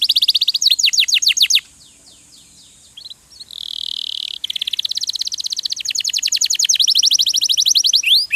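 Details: Canary song meant for training other cage birds: swept whistled notes, a pause, a buzzy rolling phrase, then a long rapid trill of repeated high notes.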